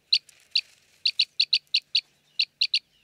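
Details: Arabian green bee-eater calling in Jeddah, Makkah Region, Saudi Arabia: a dozen or so crisp chirps, several in quick doublets, spaced irregularly over about three seconds, with faint background hiss.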